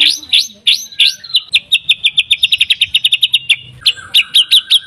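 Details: White-rumped shama in energetic song, used as a lure to provoke other shamas into singing: a few sweeping whistled notes, then a fast run of short bright repeated chips, ending in paired rising whistles.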